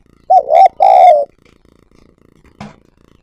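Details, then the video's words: Decoy spotted dove calling. A quick two-part coo runs into a longer, smooth, falling coo, followed later by one brief sharp click. "Tiếng Chim Cu Gáy Mồi Gáy Gọi"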